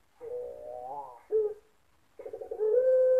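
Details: Puter Pelung dove in a Sragen, Indonesia song contest, October 2021, giving a wavering rising coo, a brief loud note, a pause, then a pulsing start that swells into a sustained steady coo.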